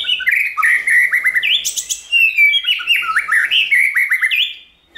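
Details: Continuous rapid warble of a White-rumped shama, sung to stimulate and train shamas: dense chattering whistled notes, repeated upslurs and a loud high burst in the middle, ending abruptly.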